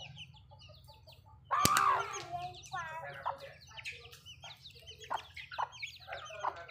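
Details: Several backyard hens feed together. A sudden loud, harsh squawk with a sharp click starts the busy stretch, followed by overlapping clucks and short nasal calls from many birds.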